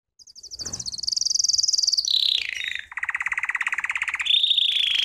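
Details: Belgian canary training song: a high rapid trill, a descending slurred phrase, a lower buzzy rolling trill, then a steady mid-high roll.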